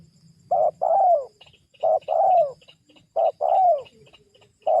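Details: Lure call of a spotted dove for drawing wild doves down: a brief mellow coo, then a drawn-out descending coo, repeated roughly every 1.4 seconds, with thin twittering of small birds in the background.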